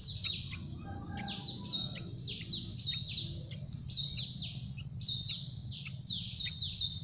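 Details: Yellow-vented Bulbul chicks in a tree nest begging for food, giving a continuous run of shrill, downward-slurred squeaks, some doubled, steadily repeated for seven seconds above a low rumbling background.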